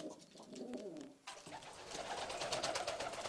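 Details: Istanbul pigeons, a breed with pearl or red eyes: a soft, low, wavering coo in the opening second, then a burst of dense rustling and wing-like clatter that covers the rest.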